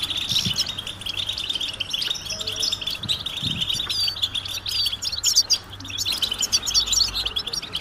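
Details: Collective European goldfinch calling, given as mating and readiness calls to get silent males singing; rapid high chips and twitters pour out continuously from several birds, with faint low knocks and hum.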